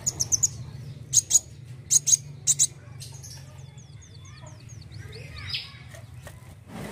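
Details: Dark sunbird in energetic song: short paired bursts of very high, thin chirps repeated about every half second, followed by softer twittering and a low background hum.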